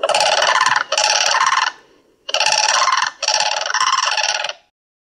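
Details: A Southern African Blue Crane gives two loud, harsh, rattling calls, each nearly two seconds long and broken by a brief catch, with a short pause between them.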